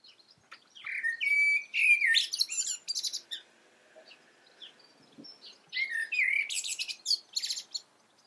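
A blackbird sings two phrases a few seconds apart, each opening with low, mellow fluting notes and ending in a high, squeaky twitter.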